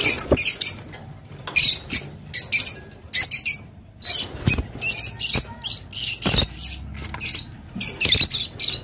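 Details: Chattering song of a Rosy-faced lovebird, meant to spur breeding: shrill, rasping chirps in dense bursts of about half a second, repeated almost without pause, with a few sharp clicks.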